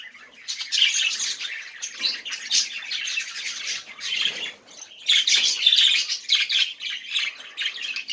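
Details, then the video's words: Budgerigars warbling to coax silent budgies into song: twittering, scratchy chatter with chirps and clicks, a fuller louder stretch in the second half. "muhabbet kuş sesi ötmeyen muhabbet kalmasın"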